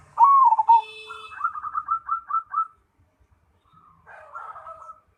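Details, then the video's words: Zebra dove, a black cemani variety kept as a caged contest bird, singing: a loud bubbling coo, a rapid run of rolling notes, then a pause and a softer trailing phrase. "Perkutut Cemani Gacor"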